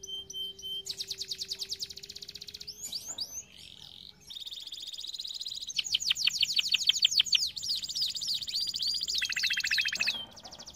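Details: Canary training song: fast high rattling trills, a short pause, then rolling buzzy tours and rapid pulsed trills of varying pitch.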